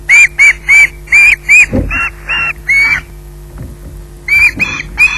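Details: Osprey waiting for food at Loch Garten, squawking in loud, piercing notes, first quick then more spaced, with a dull knock among them and a further burst after a short silence.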